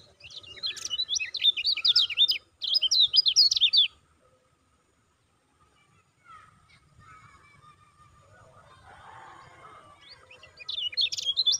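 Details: Lemon-bellied white-eye gives fast bursts of high, sharp chirping notes for a few seconds at a time, separated by quiet gaps with faint background sounds; a lure recording meant to provoke other lemon-bellied white-eyes into singing.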